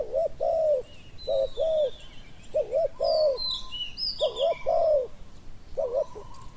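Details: Spotted dove calling as a decoy bird for catching wild doves in Thailand. Rounded, hollow coos form repeated two-note phrases, some with a dipping middle, while sharp high chirps and whistles from other birds cluster midway through.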